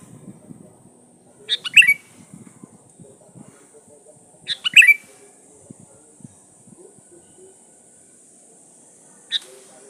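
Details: Lure song of a sooty-headed bulbul, sung to call in rivals. Two quick, bubbly whistled phrases about three seconds apart, then a fainter short note, over low scattered clicks and rustles.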